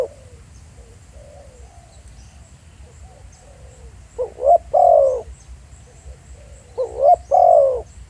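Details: Live field recording of a spotted dove at Pha Sing. Soft faint coos drift in the background for four seconds, then two loud couplets arrive: a short rising note followed by a long throaty coo.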